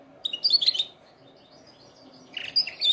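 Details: Canary singing, recorded for training other canaries: two short bursts of bright, high twittering notes, separated by a quiet pause of over a second.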